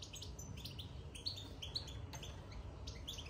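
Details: Caged European goldfinch after being moved into the cage, chattering in quick, high-pitched chirps grouped in short tinkling runs over about three seconds, with a low droning hum underneath.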